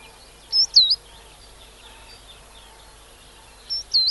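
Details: A coal tit in a UK garden gives two high, thin two-note 'teechu' phrases about three seconds apart, over faint background hiss.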